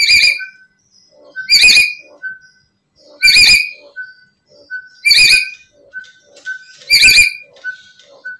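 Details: Black-capped lory giving loud grating squawks roughly every two seconds, with soft chirps and whistles between them, a call used to lure other lories.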